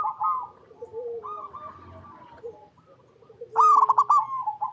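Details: Zebra dove, a local Indonesian perkutut, cooing: soft mid-pitched coos and then a louder bubbling, trilled coo phrase near the end, with quieter background sounds between.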